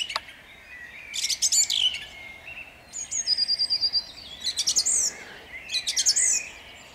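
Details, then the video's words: Song thrush singing at dawn in Jabłonna on 29 April 2021: loud phrases of sharp, clipped notes repeated in bursts, separated by short pauses, with a thin high whistled trill between phrases. "Drozd śpiewak śpiewa o świcie"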